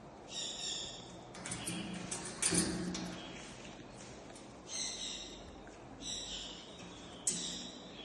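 Grey parrot giving clear, high, harmonic whistles in short bursts every second or two, with a louder rough, noisy stretch in between.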